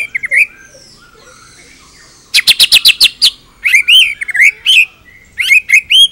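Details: Full-repertoire White-rumped shama song for training other birds: a twisting phrase, a pause, a rapid stutter of sharp clicking notes, then varied swooping whistles in separate bursts.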